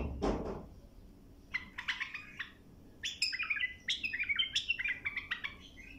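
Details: A bulbul recorded as a song-tutoring clip sings quick, bubbling phrases of warbled notes, about four a second, rising and falling in pitch; a brief low thump opens the recording.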